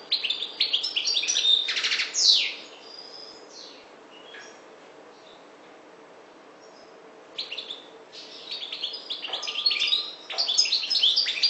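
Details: North African goldfinch, subspecies parva, gives bursts of rapid high twittering with a long quiet gap in the middle before the lively chatter resumes.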